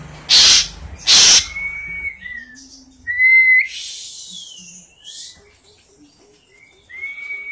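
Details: An Asian pied starling opens with two loud harsh hissing bursts, then gives long level and rising whistles spaced by quiet gaps. Faint, soft ticking notes fill the middle.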